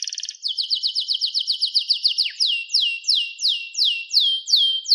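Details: Canary in song: a quick rattle, then a fast series of repeated downward-swept chirps that slows into longer, evenly spaced descending slurs.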